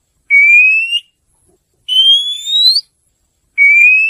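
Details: Oriental magpie-robin recording for luring birds in: three long, clear whistled notes, each rising slightly in pitch and lasting under a second, separated by silent pauses, with a brief two-part phrase in the middle and no other sounds.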